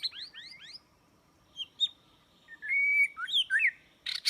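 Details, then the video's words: White-rumped shama song used to lure birds into traps: a quick run of rising chirps, a pause, then a steady held whistle followed by twisting slurred notes and a closing harsh burst. "Jebakan burung murai batu"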